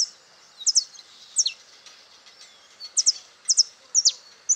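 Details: Wild saffron finch singing freely at Itatiba, São Paulo, Brazil, 22 September 2018 at 08:05, recorded on a Panasonic HDC-HS80: very high, thin chipping notes, often paired, in short bursts separated by pauses over a steady hiss of background noise.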